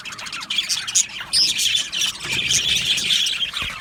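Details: Aviary-kept Australian budgies: warbling, chattering chorus with brief squeaky whistles rising above it, growing steadier and fuller in the second half.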